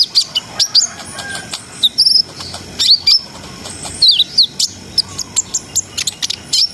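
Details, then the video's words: [3, 'Brown-throated sunbird singing in a continuous ngriwik, ngerol and nembak style to raise breeding arousal. High thin chirps alternate with brief twisting whistled notes, delivered in quick uneven groups.'] "SUARA KONIN GACOR NGRIWIK NGEROL SAMBUNG NEMBAK !! COCOK BUAT NAIKNA BIRAHI BAHAN"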